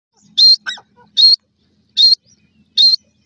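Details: Black francolin chicks at play on grass. Thin high-pitched peeps repeat about every 0.8 seconds, with a lower soft rising note under each one.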